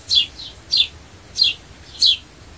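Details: Sparrow call for attracting birds: four loud, sharp downward-slurred chirps roughly every two-thirds of a second, a soft echo chirp after the first, nothing else audible.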